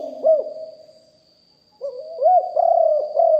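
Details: Live recording of a deep-voiced spotted dove kept as a decoy to lure wild birds: one soft arched coo, a pause, then a run of three mellow low coos with a faint constant whine behind.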